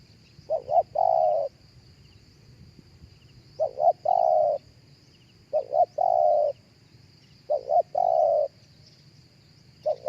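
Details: Live spotted dove coos, played through a speaker to attract other doves. A phrase of two quick short notes and one long, steady coo repeats about every 1.7 seconds, four times. Thin high twitters from other birds sit faintly in the background.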